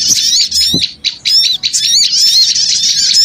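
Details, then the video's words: Lure sound of noisy small birds, opening with separate bursts of shrill squeaky chirps, then settling into a steady, crowded high-pitched chatter. "Suara Pikat Burung Kecil Ribut Ampuh"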